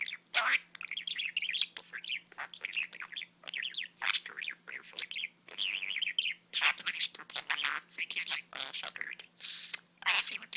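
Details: Indoor pet budgerigar talking as its owners try to work out what it says: steady run of rapid warbled syllables, squeaks and sharp clicks, with short pauses every second or two, over a faint hum.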